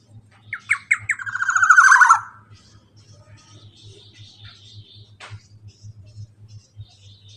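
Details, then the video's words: Black-naped oriole in a long rolling 'ropel panjang' song, played to prompt a quiet bird to sing: a few sharp descending notes swell into a loud, fast, buzzy rattle lasting about a second, followed by faint scattered chirps and a low steady hum. "KEPODANG ROPEEELL PANJANG COCOk BUAT MASTERAN BURUNG MACET BUNYI"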